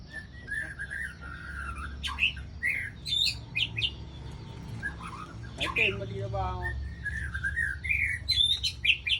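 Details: White-rumped shama recorded in Ladong, Aceh Besar, as a trapping lure: a varied run of loud whistled phrases, some sliding and some clipped, with brief harsh notes and pauses over a low background hum.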